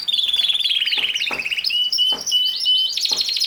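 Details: Canary in song: a fast rolling trill followed by clear whistled notes and pure held tones, ending with a higher rapid trill.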